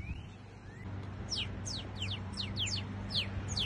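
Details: Northern cardinal singing a series of short, sharp downslurred notes, about ten in quick succession, over a steady low rumble of background noise.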